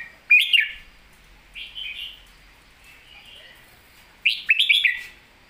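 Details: Red-whiskered bulbul delivering its 'master song' style: three bright whistled phrases of rapid rising and falling notes, loud at the start and end with a softer warbled phrase between them, and no other sounds.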